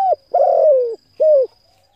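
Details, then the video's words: Cooing of a spotted dove meant to stimulate decoy birds: the tail of one hoot, then a long mellow coo sliding gently downward and a shorter arched hoot, all low and hollow, with a faint constant high tone. "Tiếng cu gáy hấp dẫn đủ bài thúc gù gáy gọi kích mồi tập bổi nhanh nổi hiệu quả"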